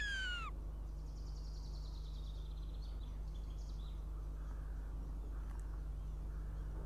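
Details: Northern goshawk young coming to its nest for breakfast on a June morning in Riga, Latvia: one loud, sharply descending whistled cry opens, followed by a faint, thin series of high whistled notes over a steady low hum.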